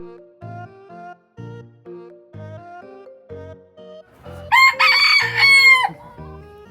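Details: Rooster crowing in the daytime at an ostrich and goat farm in Sagamihara, Kanagawa, Japan, where birds crow all day, not only mornings; one loud, harsh, wavering crow over about a second and a half, with background piano music throughout.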